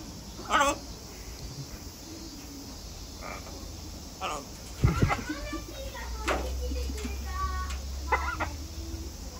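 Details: Talking harlequin and Catalina macaws at Atagawa Tropical & Alligator Garden give a few short, speech-like squawks and chatter in bursts, with a low steady hum and background murmur behind.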